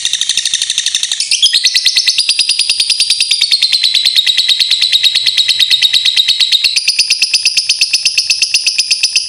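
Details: Lovebird sound used to stimulate singing: a long, continuous, rapid shrill chattering trill of about three pulses per second, sliding slightly in pitch, running unbroken throughout.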